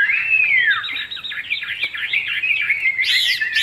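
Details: Caged Chinese hwamei, praised as a good singer with a fig-leaf-shaped tail, opens with a long falling whistle, then runs into fast looping, wavering warbled notes and ends on a brighter burst.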